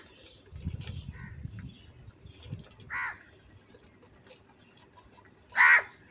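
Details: Crow giving loud, described as angry calls: one softer harsh caw followed by a single loud, rasping caw near the end, with low rustling noise early on.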